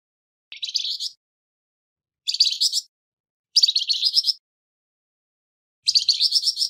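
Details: Harsh-voiced Flamboyan bird song kept for songbird training: four short, scratchy bursts of quickly repeated rasping notes, each under a second, with silent gaps of one to one and a half seconds between them.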